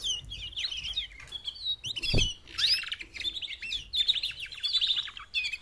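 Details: Mating calls of four female canaries to motivate males to sing; nearly continuous high chattering trills and twittered notes, with a brief low thump near the middle.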